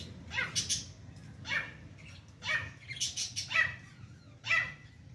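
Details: A female francolin with chicks, described as trying to fight, gives five harsh, rasping squawks, roughly one a second, over a low background hum.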